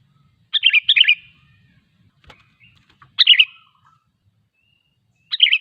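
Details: Sooty-headed bulbul song aimed at luring other bulbuls into singing: three warbled, gurgling phrases, the first doubled, with a sharp click and faint chirps in the pause between them.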